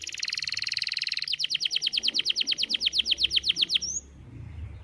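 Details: Morning song of a canary, loud and close: a rapid buzzy rattle at first, then a run of clear, repeated downward-sweeping notes about four per second, ending with a short high upslurred note.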